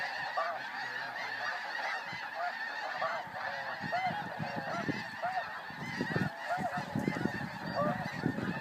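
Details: A flying flock of snow geese calls in a crowded chorus of short, rising nasal honks, growing busier toward the end over a low rumble.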